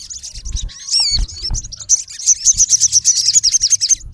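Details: Male olive-backed sunbird calling a rival: a few slurred, swooping high whistles, then a fast even series of sharp high chirps, nearly three per second.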